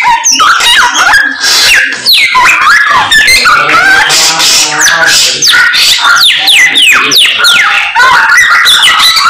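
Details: Persistent singing from a samyong (Chinese hwamei): a dense stream of loud whistled notes, quick rising and falling slurs and rattling trills, varied from phrase to phrase and barely pausing throughout.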